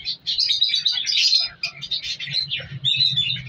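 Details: Several African colour lovebirds in a captive breeding colony chatter in quick, piercing chirps and short trills, with a dip in calling mid-way and a low steady hum beneath.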